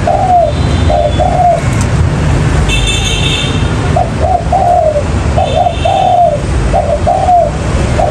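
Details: Spotted dove call used as a trapping lure, clusters of soft coos with a drawn-out falling last note, with low traffic-like rumble and a brief higher tonal noise mid-way.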